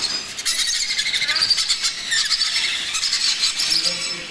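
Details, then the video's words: Baby macaw at feeding time, giving harsh, raspy, high squeals in rapid pulsing bursts that run almost without pause. "Macaw Baby Parrot Feeding Time"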